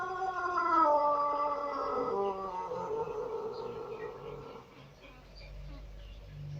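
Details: White Pelung chicken crow: a bright opening that slides downward into a long, steady, lower tone lasting about four seconds, then fades into faint background noise.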